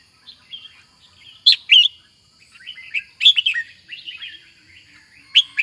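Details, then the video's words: Red-whiskered bulbul delivering loud, abrupt twin notes followed by a run of rolling, slurred warbles, then another sharp note, with a constant high whine beneath. "Chào mào đẹp, mào lân, họng bò, to chim, dài đòn | Red-whiskered Bulbul | นกปรอดหัวโขน"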